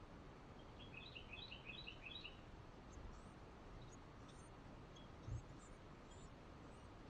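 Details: Carolina wren feeding its young with bugs on a patio, captured by GoPro; a brisk burst of high, doubled chirps rattles for over a second, followed by faint scattered high peeps, a low thud and steady background rumble.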